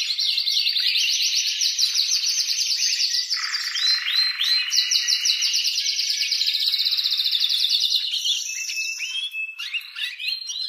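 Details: A male canary sings an excited breeding-season song, a long rapid run of trills and rolling phrases, high and continuous, shifting between buzzy rattles and clear whistled notes.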